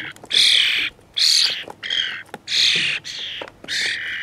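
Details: Young starlings, already able to feed themselves, squawk persistently to be fed by older dark-headed starlings; loud harsh rasping squawks in bursts about half a second long, repeated roughly every second.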